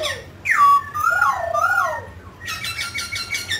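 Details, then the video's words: Mutant grey laughingthrush singing and dancing: a loud, wavering whistled phrase that climbs and dips, followed by a rapid series of grating, rattling notes. "Chú chim khứu xám tro đột biến hót múa cực đẳng cấp"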